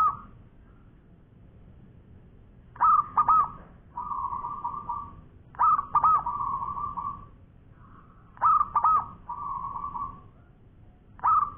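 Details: Zebra dove of local stock singing in long-voiced style, repeating a pattern of choppy stuttered coos followed by a smooth sustained cooing trill, roughly every two and a half to three seconds.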